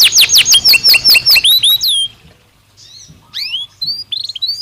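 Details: Belgian canary singing naturally: fast trills of steeply falling whistled notes, then a short pause and a quieter run of chirps and rising slurs.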